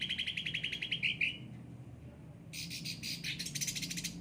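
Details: Cucak ranting in care and singing: a fast, even trill ending in a slurred note, a second of quiet, then a run of harsh buzzy chirps.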